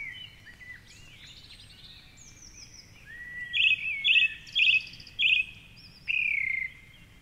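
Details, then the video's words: Song thrush, a male at a favourite treetop perch near the Curragheen River in Cork City, sings at dawn, 4.45am on a Sunday. He repeats a bright chirping phrase four times, then gives a longer sliding note. Distant birds chirp softly. "Dawn Chorus with Song Thrush"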